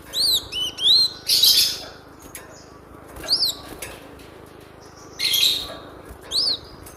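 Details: Song of a cinereous tit, played to train caged songbirds: a quick run of rising-falling whistled notes, then harsh buzzy bursts, more arched whistles and another rasping burst.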